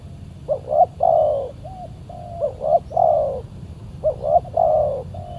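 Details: Spotted dove, a fierce wild individual reacting to a decoy during bird luring; three cooing phrases of clipped double notes and a long coo, each trailed by a short flat hoot, low steady background noise.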